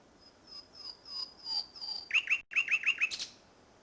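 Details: Nightingale in song at Salthouse, Norfolk, on 1 May 2011, evening: soft, drawn-out high whistles repeated slowly, then a sudden run of loud, rapid chirps and a final high buzzy flourish.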